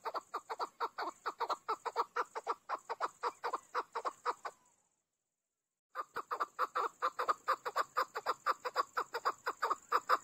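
A chukar gives fast, hoarse chuck notes, about two a second, in a steady run with a short break. A thin, high hiss sits underneath.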